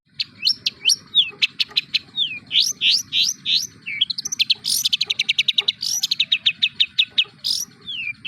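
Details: Long-tailed shrike (cendet) song packed with mimicked material, a rapid string of sweeping, slurred whistles and sharp chirps, some rising and some falling, followed by fast repeated clicking notes, loud and continuous throughout.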